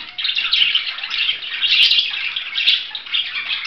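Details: Budgerigar chattering steadily in a bright, scratchy warble of quick squeaks and trills that rise and fall in loudness every half second or so.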